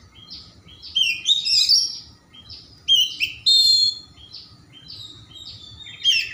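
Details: Kacer, or Oriental magpie-robin, in energetic full-repertoire song played to coax reluctant birds into singing: quiet start, then loud squeaky whistled phrases and high chatters in spaced bursts with brief pauses.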